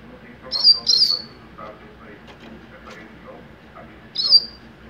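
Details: Young double-collared seedeater, a captive-bred bird singing in the mateiro style: two quick high buzzy chirps close together, then one more after a pause, over a faint murmur of background noise.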